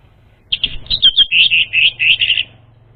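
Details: Orange-headed thrush lure song: a rapid string of bright, slurred whistled phrases, about ten notes in two seconds, fairly steady in pitch, over a faint low hum.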